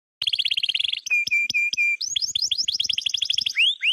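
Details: Canary singing: a fast buzzy trill, then four clear level whistled notes, then a long series of rapid downswept chirps with a final upswept note.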